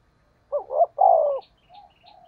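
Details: Decoy call of a spotted dove in 'thúc gù giọng thổ' style: a quick two-part stutter, then a long, low, falling coo, followed by softer trailing notes and faint chirping from small birds.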